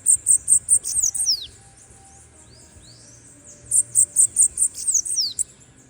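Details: Bananaquit singing: two bursts of about seven rapid, very high, sharp ticking notes, each burst ending in thin descending slurs, separated by roughly two and a half seconds of quiet with faint slurred notes between.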